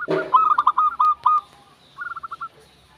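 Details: Local zebra dove (perkutut) singing: a loud opening note, then a quick run of clipped, staccato mid-pitched coos. After a short pause comes a softer, faster burst of six rippling notes.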